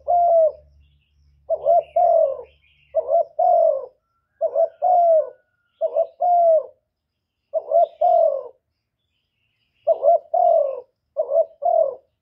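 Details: Spotted dove giving its luring coo to excite other doves. Paired mellow notes repeat in irregular bursts: a brief broken note followed by a drawn-out, gently falling coo. A soft low hum is heard at the start.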